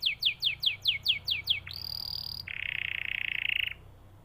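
A canary sings eight quick, falling whistled notes, then one steady high whistle, then a fast, buzzy, even trill. No other sounds stand out.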